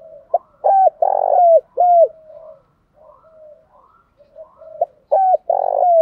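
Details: Lure calls of a decoy spotted dove for attracting wild doves: two loud coo phrases of a sharp pip, a falling coo, a long buzzy middle note and a descending coo, separated by soft low murmuring.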